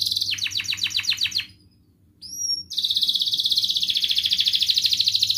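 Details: Canary song, used to coax idle canaries to sing, with cuit-cuit and ngerol phrases. A fast trill of sweeping notes stops, then a pause. Two clear, high, upward whistles follow. Then a long, even, buzzing roll continues to the end.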